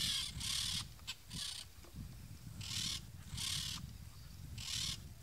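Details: Loud, rasping screeches of a peach-fronted parakeet repeated in uneven pairs and singles, each burst short and grating, with low background rumble between calls.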